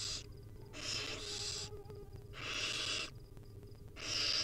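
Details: Hungry wild barn owl nestlings beg as their mother feeds them tiny bits at the nest: long rasping hissing screeches, some lasting nearly a second, following one another closely with short gaps, faint clicks and a low hum beneath.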